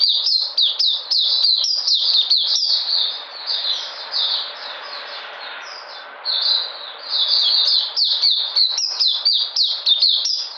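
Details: Energetic white-eye song from 13 February 2020, made of rapid high-pitched downslurred notes in quick bursts, broken midway by a quieter, run-together twittering passage before the loud chirping resumes.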